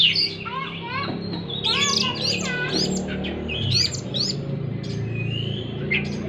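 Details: Oriental magpie-robin song used to stimulate a stressed bird that has stopped singing; scratchy harsh notes and rising whistles, then a long drawn whistle, over fairly loud low rumbling background noise.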